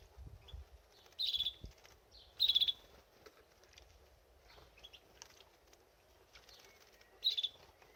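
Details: Canary bathing in a birdbath gives three short, bright, trilled chirp bursts at uneven gaps over eight seconds, with faint low splashing beneath.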